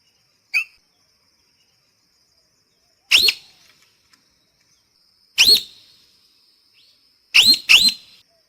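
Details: Sparse parrot calls: a short clipped note, then single harsh upslurred squawks a few seconds apart, ending with a quick pair. A soft steady tone runs beneath.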